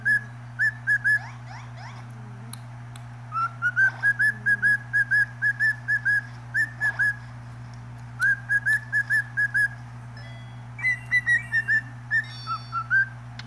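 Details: A pet cockatiel, fed fresh fruit and broccoli, whistles bright, clear notes in quick bursts, some rising, over a steady low hum while singing and talking to a cat; finding: Cockatiel.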